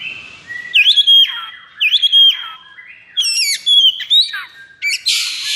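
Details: Oriental magpie-robin (kacer) in high breeding condition, singing 'konslet': repeated whistled phrases with bright upslurs and downslurs about every second, ending in a harsh hissing burst.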